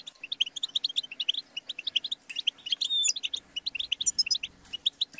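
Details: European goldfinch song used to teach and stimulate caged songbirds: rapid, tinkling twitters and buzzy notes in dense bursts, with a few clear whistled slurs near the middle; faint steady hum underneath.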